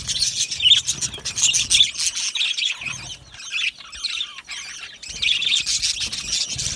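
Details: Flock of aviary budgerigars, bursts of high squawky chirps and chatter with a short quieter lull in the middle before the chorus resumes.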